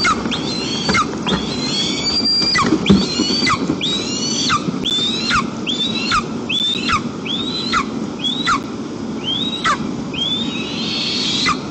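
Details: White-tailed eagle at a nest visited by the whole family, Almetyevsk region, Tatarstan, Russia, afternoon of 1 September 2022 in very windy weather: long series of thin, high yelping whistles, each rising then dropping, about one per second over a low rumble of wind.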